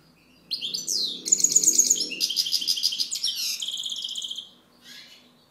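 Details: European goldfinch singing a rapid four-second run of twittering, tinkling notes, including a quick series of bright repeated pips and buzzy trills, with a soft murmur underneath.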